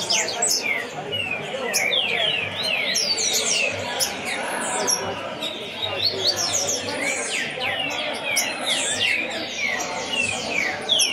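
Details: Caged lined seedeater (coleiro) brought to experience the tournament atmosphere: rapid series of bright downslurred whistles and sharp chips packed closely over many seconds, with background murmur.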